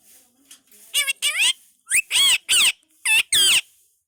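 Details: Talking Indian ringneck parakeet produces a handful of loud, buzzy, speech-like syllables with sweeping pitch, separated by short gaps, in a quiet indoor setting.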